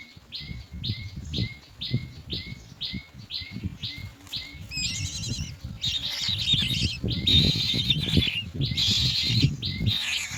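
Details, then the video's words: Nestling mynas waiting for food brought as white pellets: a steady two-note chirp repeats about twice a second, then loud raspy hissing begging erupts and continues in rough surges, with fluttering and rustling sounds. "Myna Birds bring white pellets of food to feed their young, who are waiting to eat"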